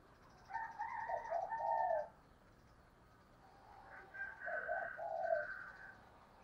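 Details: Decoy female spotted dove calling to stir wild birds into responding; two muffled bursts of rough, rolling coos separated by a quiet gap, over faint background noise.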